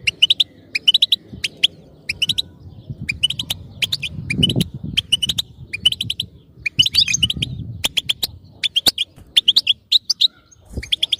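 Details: European goldfinch kept as a singing cage bird, twittering song of short bright chirps and trills in quick bursts with pauses, some louder clicks, low rumbling background noise in between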